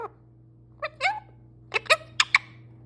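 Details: Pet parrot talking indoors: a handful of short, harsh, speech-like syllables in quick bursts, rich in upper harmonics, over a constant low hum.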